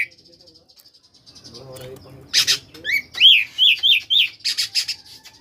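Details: Magpie-robin koslet song meant to prompt lazy birds to answer; a short buzzy burst followed by five or six clear, rising whistles in a rapid row, with a soft low hum underneath.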